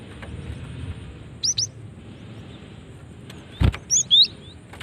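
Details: Cinereous tit female call used to lure other cinereous tits: two brief high chirps, then after a soft thud a short run of three more thin, slightly descending chirps, over a low steady hiss.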